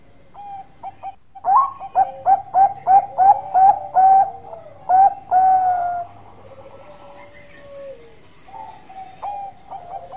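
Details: Zebra dove, Bangkok type, in active long-voiced song: a few short introductory notes, then about ten strong, rounded coos delivered rhythmically. These are followed by quieter, drawn-out low tones and a few scattered notes at the end.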